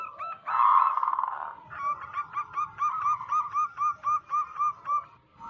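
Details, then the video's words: Zebra dove of local wild stock, recorded as a lure for attracting wild doves: a loud blurred burst, then a clear run of about a dozen rhythmic clipped coos, each slightly hooked. "Lokal Alam gacor pancingan pikat burung perkutut"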